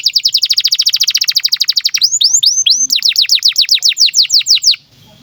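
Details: Song of a canary in breeding condition, used to train young birds: a fast, even trill of short descending notes, then a few rising whistles and another slower run of falling notes before stopping abruptly.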